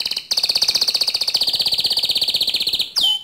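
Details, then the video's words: White canary in full song holding one long rapid trill of identical high pulses for nearly three seconds, opened by a short chirp and closed by a sharp downward-sweeping note. "Suara Kicau Burung Kenari Putih Bersih Gacor Dor"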